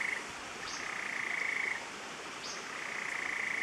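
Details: Endemic Stiles's tapaculo (Scytalopus stilesi) at La Romera, Central Andes near Medellín, Colombia, gives a fast, even trill on one steady mid-high pitch in two long runs; faint, thin upslurred chirps sound higher above.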